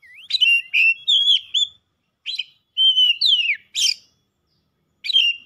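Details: Singing Oriental magpie-robin, described as heated up and emotional, pouring out its 'isian' repertoire. Bright whistled notes come in short bursts, including a long steady whistle sliding into a steep downward slur, separated by brief silent gaps.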